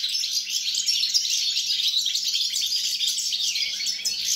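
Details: Goldfinch singing, recorded 29 December 2022, with fast chattering twitters and liquid trills running continuously through the whole passage over a faint low hum.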